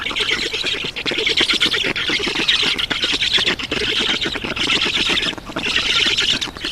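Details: Black storks at a nest in Estonia, 7 June 2019 around 11:03, as an adult brings water: continuous harsh, hissing squawks with rapid pulsing underneath, steady over the whole stretch with brief dips.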